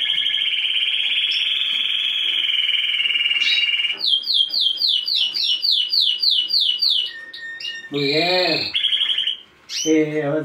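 A Timbrado canary sings a long, steady rolling trill, then a fast run of repeated falling notes and varied warbled phrases. Nothing else stands out.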